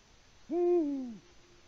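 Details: Low, mellow hoot of a male Eurasian eagle-owl at 18:06 on 6 March 2019 in Latvia, calling for a mate with no female answering; the single note holds briefly, then falls away, over faint background hiss.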